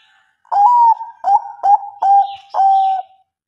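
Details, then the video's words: Cooing of a Bangkok zebra dove intended to make lazy birds answer: a phrase of five soft hooting notes, long first note, three brief stuttering coos and a lengthy even last note. "PERKUTUT BANGKOK MBEKUR NGEROT AMPUH buat PANCINGAN MALAS BUNYI jadi NYAUT ikut MANGGUNG"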